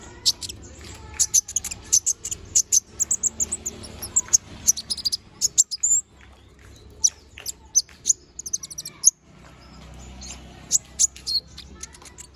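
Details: Little spiderhunter in full, active song: rapid bursts of sharp, piercing high chirps and trills in dense runs, a short pause at about six seconds, then more quick high notes, over faint low background noise.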